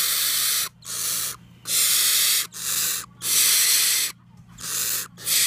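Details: An angry barn owl (Tyto alba) chick, threatening the camera, gives long, harsh, breathy hisses in five bursts each just under a second with brief pauses, over a faint low hum.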